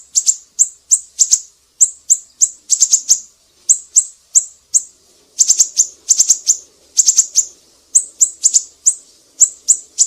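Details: Siri-siri recorded as a tutor song for leafbirds, shamas and magpie-robins: long, lively series of very high chips, singles mixed with rapid bursts of three or four, and a faint low murmur in the middle.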